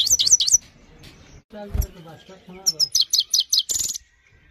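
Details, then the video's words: Himalayan goldfinch training song: quick high twittering phrases at the start and a rapid run of bright, repeated chirps near the end, with a brief low voice-like murmur between them. "The best himalayan gold finch clean voice singing"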